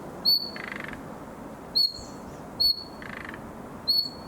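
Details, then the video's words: A summer nightingale youngster practising: four crisp, high whistled notes with short grating buzzes after two of them, over soft steady background noise. "Пение летнего соловья. Малыш старается"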